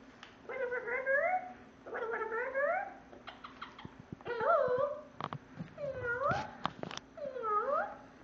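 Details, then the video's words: Female parrot kept as a pet, in a portable cage, imitating cat meows. About six upward-sweeping meows, some wavering, are mixed with sharp clicks and taps, and a voice follows. "Parrot meowing in portable cage"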